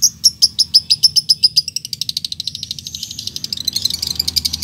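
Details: Lovebird call used to lure other lovebirds into calling, running from ngetik into ngekek: loud high chips that speed up into a long, dense, rattling chatter.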